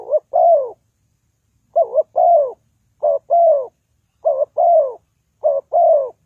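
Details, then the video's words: Lure call of a spotted dove for trapping. Five deep, soft two-note coos, each a short wobbling note and a longer descending croo. A pause of about a second follows the first pair. The background is quiet. "The Sound Of Spotted Dove is very good,Bẫy cu gáy bằng mồi trồn"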